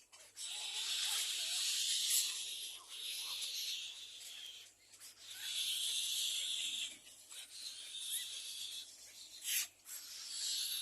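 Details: Nestling little egret at a second nest begging its parents for food, giving drawn-out raspy hissing bursts of one to three seconds separated by brief gaps, with faint lower rustling beneath.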